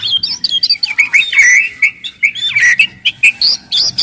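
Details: Aggressive white-rumped shama singing loudly to provoke other shamas into song and fighting; varied whistled phrases and quick chattering notes, mixed with high sharp chips, over faint low background noise.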